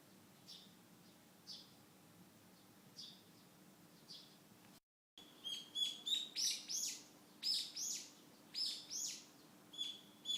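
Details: Wild birds singing in a home garden in Fukushima, Japan, in early July 2013. Faint distant chirps come first, then a close, rapid run of bright, high chirping notes repeated about three times a second, over a steady low hum.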